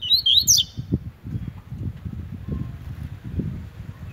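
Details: Brown-plumaged double-collared seedeater singing the tui tui song style while competing; a quick burst of high, sliding whistled notes opens the recording, then only low rumbling background noise.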